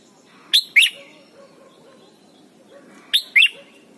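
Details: Red-whiskered bulbul in Thailand, song used to train young birds: a brisk pair of sharp, bright whistled notes, the second bending upward, given twice about two and a half seconds apart.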